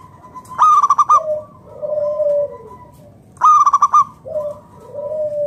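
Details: Local zebra dove singing to draw other doves into song: two phrases of loud rapid rolled staccato notes, each followed by a soft low drawn-out coo, repeated about three seconds apart.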